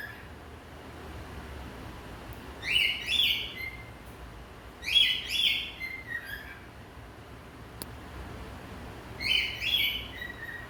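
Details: A pet male cockatiel sings short bursts of bright, warbling whistles separated by quiet pauses. He sings and dances beside his favourite branch.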